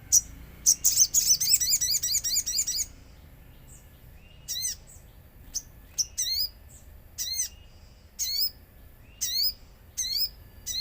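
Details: Lure song of a common iora over nature sounds, intended to draw a reply: a dense opening volley of rapid high chirps, then separate sharp downsweeping notes repeated roughly once a second.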